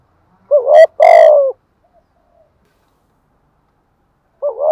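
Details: Spotted dove coo in the giọng thổ manner, a short rising double note and a loud drawn-out falling coo with a sharp click at its start, then a long pause before the next phrase begins.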